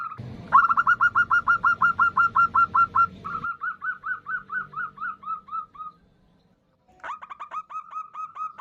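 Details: Female zebra dove of a local strain calling for a male, used as a lure: a loud rapid run of clipped coos with low rumble, a softer descending series, silence, then the calling resumes.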